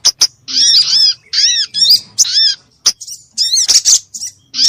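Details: Sunbird lure call, described as noisy and used to make sunbirds sing. Short sharp tick notes alternate with bursts of rapid buzzy, down-slurred high chatter, all separated by clear silent gaps.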